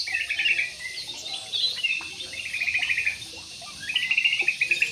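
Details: Jumbo budgerigars housed in an aviary, with three rapid, high trilled bursts of buzzy pulses separated by softer warbled chatter.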